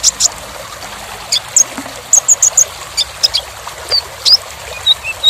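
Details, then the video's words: Kolibri ninja sunbird song recorded as a training track for songbirds: sharp, high, thin chirps and short whistled notes come in scattered bursts, with a faint steady hiss behind them. "KONIN (Kolibri Ninja) Masteran Full Materi Mewah Isian Rapat Panjang"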